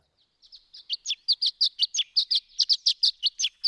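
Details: Violet-green Swallow dawn song around 2 a.m., bird flying in big circles high in the dark, starry sky, singing continuously: a rapid series of high, thin chips and twittering notes, about three per second, against silence.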